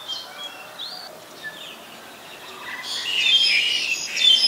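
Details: Black-collared starling, Ubon Ratchathani, Thailand, on 2 January 2020: a few faint scattered whistles and chirps at first, then a loud, raspy burst of squawking chatter in the final seconds.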